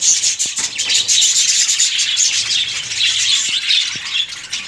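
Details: Breeding colony of budgerigars giving a steady wash of high, scratchy warbles and chirps from many birds at once, with a few soft knocks.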